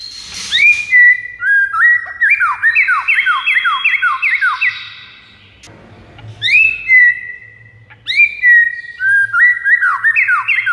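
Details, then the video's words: White-rumped shama singing to attract rivals: a clear opening whistle, then a fast rippling run of descending slurred notes, a quiet gap, and further bright whistled phrases, with a soft low hum beneath. "MASTERAN 99% EFEKTIF PIKAT MURAI BATU LAWAN"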